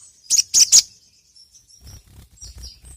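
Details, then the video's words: Sogon (ruby-cheeked sunbird) song used as a lure call: three loud, sharp, very high chirps in quick succession, followed by faint high twitters and soft low knocks. "PANCINGAN BURUNG SOGON"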